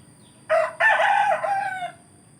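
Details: Close rooster crowing in a village: a loud clipped first note, a brief gap, then a long rich harmonic cock-a-doodle-doo slowly fading over more than a second, background nearly silent.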